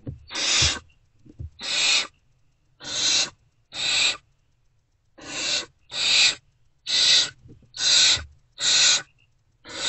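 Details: Great horned owl owlets, still unfed, in a nest box before dawn on 3 March 2024, reacting to an adult's return: harsh, broadband hissing screeches, about ten bursts of roughly half a second each, repeated at uneven intervals near one per second.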